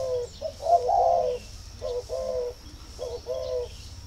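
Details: Spotted dove from a dove farm in Ba Vì, Vietnam, calling when ready to pair: low mellow coos, first a longer swelling phrase, then two shorter paired coos, over a faint background hum.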